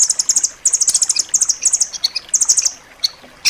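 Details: Rambatan loreng singing a tight, sharp master song for pet birds: quick bursts of very high staccato notes, four to six per burst, followed by a few softer single chips.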